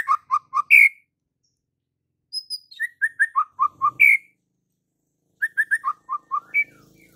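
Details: Energetic 'gacor full isian' song of a white-rumped shama: three phrases of quick repeated whistled notes, each dropping in pitch and closing on a loud upslurred whistle, separated by short pauses. A faint low murmur sits beneath.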